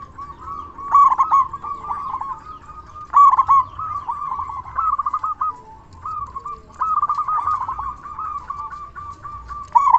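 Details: Local zebra dove (perkutut) singing loudly, used as a lure to make other doves answer: rolling, staccato cooing phrases near one pitch, with louder bursts roughly every three seconds over a steady low background hum.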